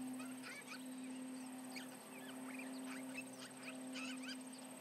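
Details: Osprey alarm calling at the Charlo nest with intruders around, 11:30am MDT on July 29, 2019: clusters of sharp, high, bending whistled chirps repeat irregularly through the clip over a steady low electrical hum.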